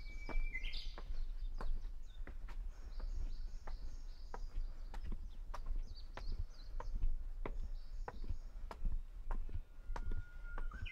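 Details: Japanese bush warbler at Hansōbō in Kenchō-ji, Kamakura, Japan, 6 June 2020: a steady whistled note leaps into a quick high trill, a lower held whistle later, over sharp clicking footsteps and distant high twitters.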